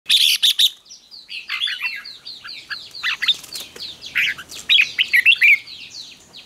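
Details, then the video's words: Red-whiskered bulbul fighting song used to stimulate and train birds: loud bursts of bright chirps open, then a fast run of short descending whistled notes, followed by clustered, ringing phrases with sharp peaks. "Kích Chào Mào Hót Ché |Kích chào mào hót đấu"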